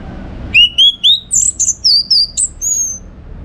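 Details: Orange-headed thrush from northern Bali, sung as a model to train contest birds: three rising whistles followed by quick high buzzy slurs and a long thin descending whistle.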